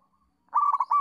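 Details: Local zebra dove in a training recording used to lure and teach young doves to call: a loud, rapid burst of mellow, rolling coo notes running in a clipped staccato phrase after a brief quiet start.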